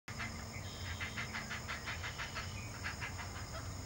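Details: A lone great blue heron chick begs with harsh, rapid clacking calls, about three a second, while grabbing a fish its parent regurgitated onto the nest floor, over a low rumble of wind.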